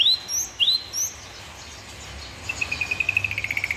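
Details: White-rumped shama (murai batu) master recording full of 'tembakan' fills: a few loud upward-sweeping whistles, a pause, then a rapid even series of short clipped notes, about eight per second, over hiss.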